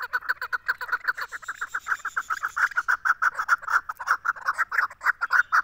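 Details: Female Chukar partridge uttering a brisk, continuous train of throaty clucks, each note short and clipped, kept up at a steady fast pace.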